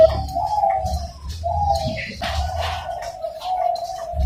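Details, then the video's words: A Bangkok-line zebra dove (perkutut), a ring-bred bird hatched 27 September 2022, gives a powerful, steady, mid-pitched cooing that runs almost unbroken with two brief pauses; low rumble and faint chirps behind. "PERKUTUT BANGKOK SUARA POWER FULL"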